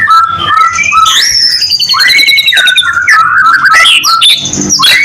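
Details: ['White-rumped shama song meant to lure other shamas: clear whistled notes, a long thin descending trill, then rich slurred warbles and rising sweeps, loud and unbroken.']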